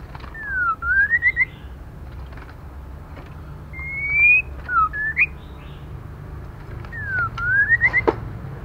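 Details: Female white-rumped shama calling to stimulate male birds: repeated V-shaped whistles that drop and then climb in quick steps, a steady rising whistle between them, and light ticking and hum in the background.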